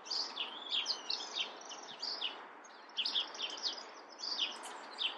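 Chestnut-backed chickadee giving high, thin chirps and short buzzy notes in quick clusters, a burst roughly every second, over a steady background hiss.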